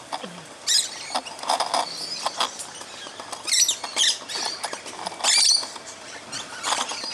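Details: Musk lorikeets, about 20 on one side of a fruiting tree feeding noisily in the morning, give shrill, metallic screeches in short, irregular bursts, several overlapping, with rustling and scratching from the foliage between calls.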